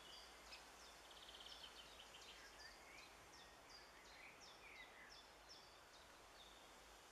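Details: Young Eurasian wrens on 16 June 2013 give thin, high, quick chips, repeated in rapid irregular bursts, faint against a steady rushing background noise.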